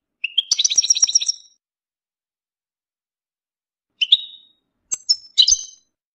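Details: European goldfinch mating and readiness calls meant to make a silent male sing during moult: a rapid twittering, liquid chatter of high notes, then single short chirps and a final bright burst, with silence between.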